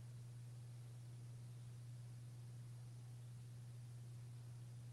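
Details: Continuous hiss and static over a strong low electrical hum, with no other sounds.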